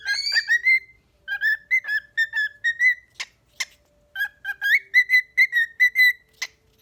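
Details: Two pet cockatiels, Pecky and Daisy, in a sing-off, competing: bright whistled phrases with rising and falling notes mixed with sharp chirps.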